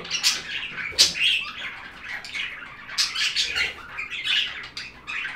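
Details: Steady budgerigar chatter of high, bright chirps and warbles, with louder sharp notes every second or two over soft continuous twittering.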